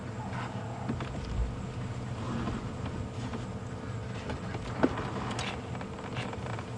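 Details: Vehicle engine rumble with rattles and one sharp click during an evening safari drive; no animal calls.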